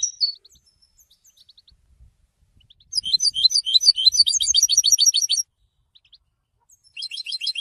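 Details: Moulted European goldfinch in song: a clear chirp and soft notes, then a dense two-and-a-half-second burst of fast bright twittering, silence, and the twitter starting again.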